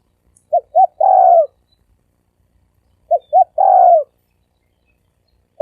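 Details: Cooing spotted dove in the "sấm đồng" voice style, played as a lure for cocks, hens and wild birds: two complete phrases of two quick notes plus a drawn-out rolling coo, then the next phrase just beginning.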